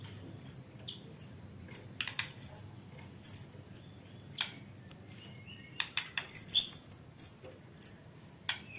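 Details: White-rumped shama whose song is filled with imitations of the hanging parrot: very high, thin, short chirps repeated about twice a second, interspersed with sharp dry clicks, over quiet low background hum.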